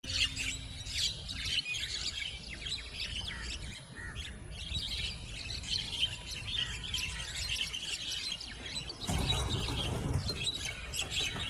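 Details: Javan mynas in a duel that turns into a gang fight, several birds chasing, flapping and squawking: dense, overlapping high chirps and harsh squawks throughout, with a louder burst of low rumbling noise near the end.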